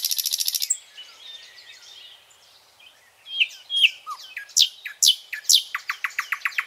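A nightingale sings a rapid run of repeated high notes, then soft whistles and sharp rising sweeps, ending in a fast stuttering series of clicks.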